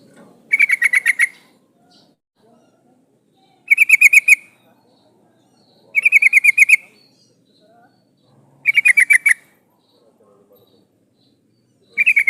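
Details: Female yellow-vented bulbul calling for a male, used as a lure: five regular bursts of fast buzzy pulsed notes, each about half a second long, repeated roughly every two and a half to three seconds in near silence.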